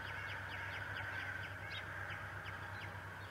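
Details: Male bald eagle at Decorah on a March 11, 2018 morning, a feather and grass hanging from his beak: a quick run of high, thin, downward-slurred chirps throughout, over a steady electrical hum.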